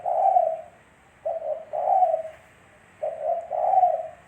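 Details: Low, mellow coos of a Spotted dove used for luring: a long coo ending one phrase, then two more phrases, each a clipped note followed by a fuller, longer hoot.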